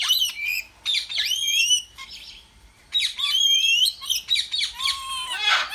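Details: Cockatiel (Nymphicus hollandicus) chatter: bright, rising and falling whistles mixed with harsh chirps and squawks.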